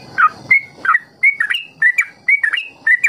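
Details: Trucukan ropel song used as a teaching recording so young trucuk learn long ropel phrases; loud clear slurred whistles, about two per second, alternating higher and lower pitches with brief gaps.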